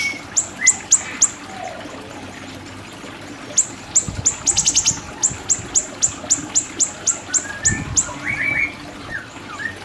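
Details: Siri-siri song as a training recording: lively runs of high, clipped descending ticks at over three per second, with a rapid rattled burst midway and a few lower whistles.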